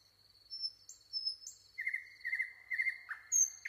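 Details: Nightingale singing: thin, pure whistles drawn out high, some sliding up, then a run of lower, repeated warbled phrases and a sharp closing note, against near silence.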